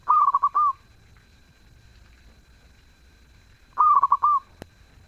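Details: Two phrases from a melodious zebra dove, each a fast run of stuttering coos finishing on a sustained, slightly rising note, separated by a few seconds of quiet.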